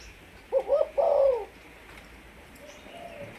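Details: Malaysian spotted dove, a decoy bird, giving one short phrase: two quick hollow notes, then a longer wavering coo. A faint, distant coo follows.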